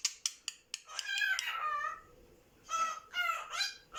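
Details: Pet cockatiel calling to a budgerigar from out of sight and talking, saying greetings like "okaeri" and "ohayou": a few sharp clicks, then bursts of harmonic, rasping chatter and warbled whistles.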